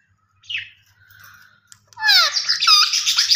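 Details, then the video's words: A soft squeak and a faint thin note, then a rose-ringed parakeet bursting into a loud, harsh descending screech with rapid chattering over the final second and a half. "Gareen Ringneck Parrot Natural Sounds Vice"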